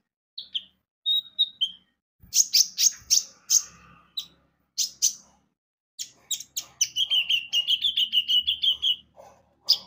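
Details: Olive-backed sunbird (konin) singing vigorously as a lure to make birds sing: short whistles, then sharp clicking chirps, ending in a long rapid rattling trill of repeated notes, with faint low knocks.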